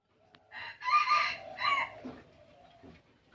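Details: Red junglefowl (ayam hutan) from Aceh, kept in captive breeding, giving one crow: a short opening note, then a loud harsh rising phrase and a second strained burst, fading into a low drawn-out tail, against a quiet background.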